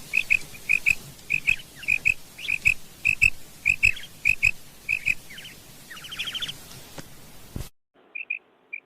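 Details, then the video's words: Female quail (batair) calling: crisp high paired notes repeated roughly every half second, then a brief run of quick rising chirps. After a short silent break, a few more paired notes follow. "Female Batair Sound"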